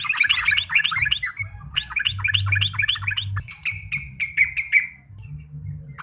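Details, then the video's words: Energetic yellow-vented bulbul song with dense, rapid chattering and gurgling notes, followed by a few clearer whistled slurs repeated near the end, with a low background hum throughout. "burung trucuk gacor"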